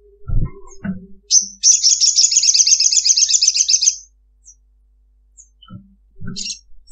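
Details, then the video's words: Calling female ruby-cheeked sunbird seeking a male, giving the long 'ngekek' chatter: a short high note, then a dense, sustained high-pitched trill of rapid repeated notes running about two and a half seconds, with faint knocks around it. "SOGOKONTONG Giras Ngekek panjang Pancingan bunyi ngalas"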